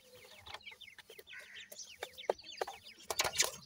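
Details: Many grey francolin chicks peeping at once, short high notes sliding downward in quick succession, mixed with frequent dry clicks and taps.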